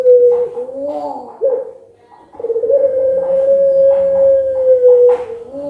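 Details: Puter pelung dove cooing back at a lure recording to make it call eagerly. Wavering coos give way to a long, level hoot of about two and a half seconds.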